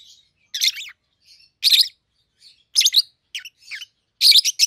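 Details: Peach-faced lovebird pair, captive-bred siblings in mutation colours red-headed green opaline and red-faced dark green, 7-8 months old: clusters of shrill, squeaky chirps roughly every second, with softer notes between.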